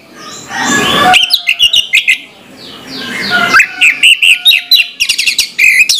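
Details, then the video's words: Orange-headed thrush pouring out a rapid medley of high whistles and chattering notes in the morning, after an opening rush of broadband noise. "suara anis merah plong pagi hari bikin sengat bunyi anis merah macet"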